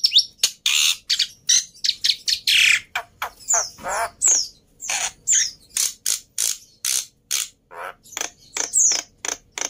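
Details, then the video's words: Black-winged myna, sung to coax silent mynas into singing, giving loud harsh squawks and raspy screeches interspersed with short whistled notes, delivered in uneven bursts roughly every half second. "Burung Jalak Putih Gacor || Cocok Buat Pancingan Burung Jalak Mandek | Macet Bunyi"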